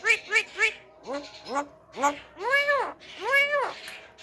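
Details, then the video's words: Talking Javan myna used to provoke other mynas. Three short nasal syllables, then two longer rising-falling notes and two drawn-out arched, voice-like calls, with quiet gaps between them. "PANCINGAN SUARA KHAS JALAK KEBO PANDAI BICARA BIKIN JALAK LAIN EMOSI"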